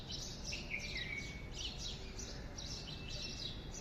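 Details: Birds in the morning: faint, high chirps and short twittering notes from several overlapping callers, with a steady background hiss.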